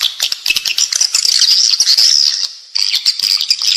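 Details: Swiftlet calling sound for inside a bird house, edible-nest swiftlet: a continuous high, thin twittering trill with scattered clicks, briefly dropping away before resuming.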